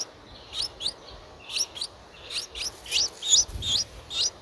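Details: Begging from a Streak-eared Bulbul nestling aged nine days, recorded on 11 April 2023 in Ubon Ratchathani, Thailand. Thin, high, rising chirps come in quick clusters of two or three, about 158 per minute, with slight rasp.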